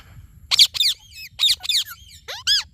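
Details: Indian ringneck parakeet chirping: a quick run of five sharp, squeaky notes, some upswept and others falling, in two close pairs and then one more, with short silent gaps and no other sounds.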